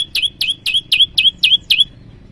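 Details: Bar-winged prinia, locally ciang-ciang, giving its rival call used to lure wild birds: seven crisp, downslurred chirps evenly spaced over two seconds, then silence.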